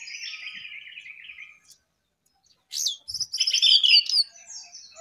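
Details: Jongkangan on top of its cage in full song: a scratchy warbling passage, a short silent pause, then a loud burst of high, rapid twittering and sharp whistles that fades into softer chatter.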